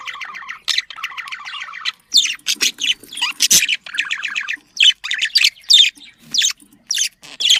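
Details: Budgerigar mating sound: opens with a rattling, evenly pulsed buzzy phrase, then breaks into separate squawks and sharp chirps spaced by brief silences.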